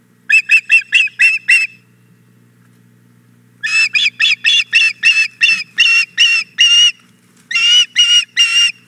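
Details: Loud, close begging of a female osprey at Hog Island Boathouse, 4 May 2017, as the male brings a fish: three bursts of harsh whistled chirps, six, then about twelve, then four, evenly spaced.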